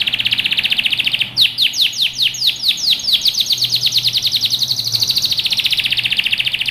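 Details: Canary training song: a dense rolling trill, then slower descending whistled sweeps that speed up into a long rapid chain of falling notes, steady and loud, with faint low hum beneath.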